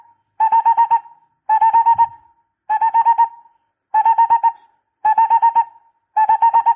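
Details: Barbet calling, recorded for decoy use: six regular bursts of rapid mellow hooting notes, each burst finishing on a drawn-out tone, repeated about once a second.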